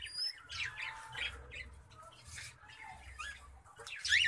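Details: A cockatiel, heard while its nest box is checked, gives harsh, scratchy squawks in short uneven bursts over a faint low hum.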